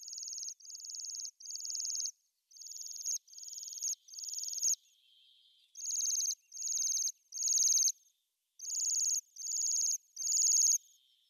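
Bohemian waxwings give high, thin, buzzy trilled 'sirrr' calls, mostly in runs of three, with a faint lower trill between the bursts.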